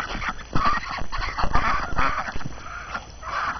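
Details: Ducks on a January morning after the first snow, hungry and eager to be let out, chattering constantly; rapid overlapping nasal quacks and honking calls from several birds, with low rumble.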